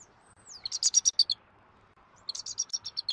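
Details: Adult male bald eagle calling at a Southwest Florida nest after feeding the chick, before the female comes in for a changeover, morning of 1 January 2024, nest camera. A thin whistle slides down into rapid high squeaky chitters, then another quick piping series.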